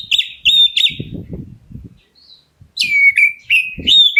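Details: Black-breasted Oriental magpie-robin calling to provoke answers from other birds: three loud, clear whistled notes, a break with low clattering noise, then a bright rising sweep and a run of downslurred whistles.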